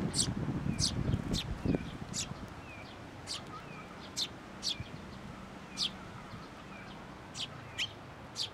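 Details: On 16 May 2024 at a Tenmangu shrine, a parent sparrow that came for food grows aggressive; steady series of sharp chirps with faint thin slurred notes between, rustling at the start, then a quiet background.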